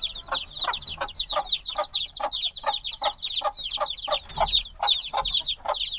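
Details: A few-days-old brood of black chickens, recorded binaurally, keeps up rapid high-pitched chirping. Each note is a short, sharp descending peep, and the chirps come several per second from many chicks together.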